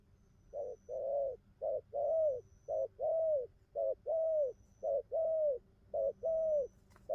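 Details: Newly wild-caught spotted dove cooing well in a settled song pattern: soft, low, arching coos in short and long notes, repeated about once a second in steady groups, over a faint constant hum and a thin high intermittent tone.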